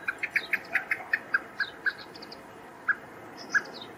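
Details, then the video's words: Common blackbird male in Poland, 7 July 2023, calling while searching for a fledgling: a rapid run of sharp clucking notes that slows and breaks off into single spaced notes, with soft high twittering in the background. "Samiec kosa szuka podlotka - nawoływanie i odgłos alarmowy"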